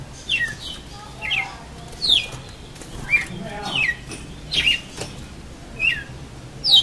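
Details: Red-cowled cardinal in a face-to-face singing match, which it lost: clear, sharply descending whistled notes repeated about every three-quarters of a second, some doubled, with little background noise.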